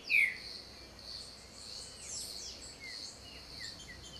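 A Green-winged saltator gives one sharp, down-slurred note, followed by faint, thin chirps. A steady, high insect drone runs underneath.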